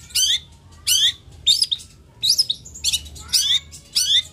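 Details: Long-tailed shrike (cendet, toed) repeating short, high, scratchy phrases with twisting whistled notes, roughly one every two-thirds of a second, separated by brief quiet gaps.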